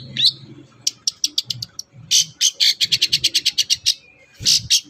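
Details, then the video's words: Long-tailed shrike song for coaxing captive birds to sing: one rising note, then a rapid series of about a dozen harsh, evenly repeated chattering notes, with low background rumbling. "pancingan ampuh cendet susah bunyi agar cepat gacor"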